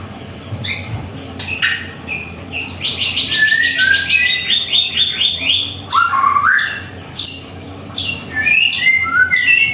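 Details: White-rumped shama singing at home in the morning, mixing sharp clicks and snaps with a long rapid trill of chirped notes and short swooping whistles.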